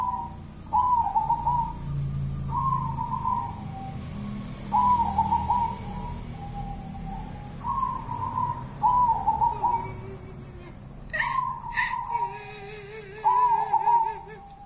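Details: Zebra dove of a local wild strain, called 'perkutut kuntilanak', repeating short rolling trilled coos about every one to two seconds, later joined by a wavering lower whistle and clicks.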